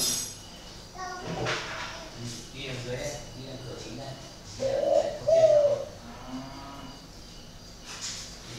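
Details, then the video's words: Spotted dove kept at a bird farm near Ba Vì, Hanoi, known for an unusual voice, utters a brief two-part coo amid a man's talking and background knocks. "cu gáy độc lạ hoắc A E P H"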